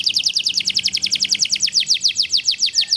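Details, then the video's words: Small competition canary singing in the cengkok ngawet style: a fast, steady trill of high, downward-slurred notes, about seven per second, repeated evenly throughout. "Kenari gacor cengkok ngawet"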